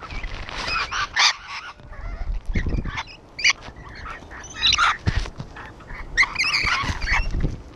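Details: A wall-side gathering of rainbow lorikeets lets out loud, raspy screeches and quarrelsome chatter, in dense bursts at the opening and again after six seconds, over low thumping sounds.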